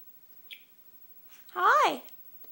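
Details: Pet Senegal parrot indoors chattering in response to its owner talking: one wavering, harmonic, rising-then-falling vocalization lasting about half a second, preceded by a soft click, in a quiet room.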